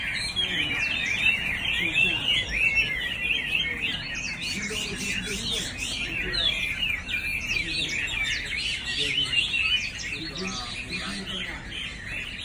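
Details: Chinese hwamei singing a long, continuous run of varied whistled and warbled phrases, fast and richly modulated, with quick sweeping notes in a steady stream and faint low background noise.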